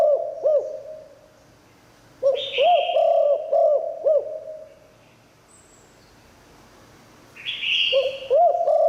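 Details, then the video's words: Spotted dove with good 'Liu Tan' singing used to lure wild doves. Two phrases of rounded low coos are split by a quiet pause, each followed by a harsh, descending buzz from higher pitch. "เสียงนกเขาใหญ่หลิ่วตัน คารมดี รับลองนกป่าเข้าแน่นอน"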